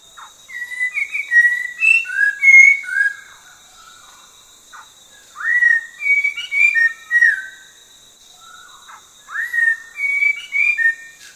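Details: Orange-breasted laughingthrush, endemic to the Langbian Plateau highlands of southern Vietnam. It delivers three bursts of jumbled, swooping whistles, each about two seconds long, separated by quiet gaps, over a steady high-pitched background whine.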